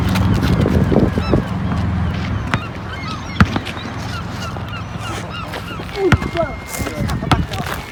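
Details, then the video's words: A flock of seagulls flying together calls over one another with many short, nasal, slurred cries, over a steady low rumble of wind or engine. "A Swarm Of Flying Seagulls Sound Effect"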